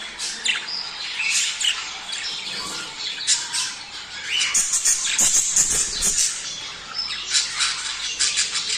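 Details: Flock chatter of budgerigars used to stimulate mating: rapid, irregular squawks and warbles with bursts of loud, grating calls in the middle.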